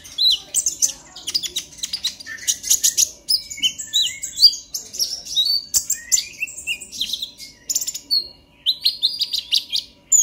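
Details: Long stretch of busy, high-pitched twittering and chips from a young purple-throated sunbird learning its song, delivered as excited 'ngobra emosi' chatter meant to stimulate other young sunbirds to sing.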